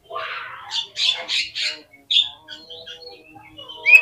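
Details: Oriental magpie-robin sound from a lure recording intended to make birds answer and fan their tails: a series of rough, harsh, buzzy squawks, then quieter scattered whistles and a sharp note at the end.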